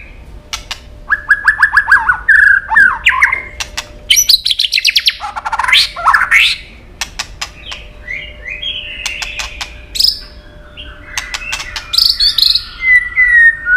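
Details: A tail-flicking White-rumped shama hops on its perch, singing a long duelling song: clicking bursts, fluty whistles, a harsh loud passage, then varied high rising and falling whistled phrases.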